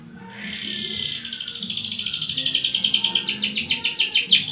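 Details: Canary in long, constant song, played to prompt other canaries to sing. A steady high whistle gives way to a prolonged, fast, rolling trill that grows louder toward the end, over low background rumble.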